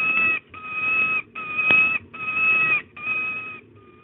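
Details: Begging for prey, a female peregrine falcon at De Mortel gives five long, level, nasal wails, 8 April 2022 at 14:31, with the last one fading out quietly and a single sharp click midway.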